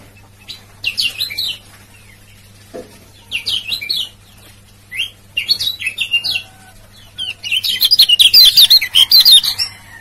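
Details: Lombok lemon-bellied white-eye, a male, in a ciak-ciak luring recording: high chirps in short clusters every second or two, building to a dense, rapid twittering run near the end, with a faint low hum underneath.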